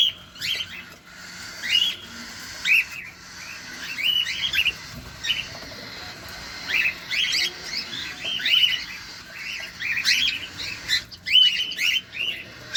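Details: Cockatiels in captivity while feeding, heard at close range: a steady stream of brief upslurred chirps, some paired, scattered irregularly over the stretch, with a faint background hum.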